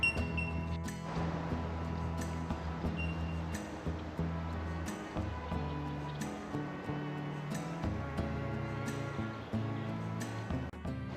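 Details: Steady instrumental music with deep sustained bass notes and regular percussive accents, with no animal sounds heard.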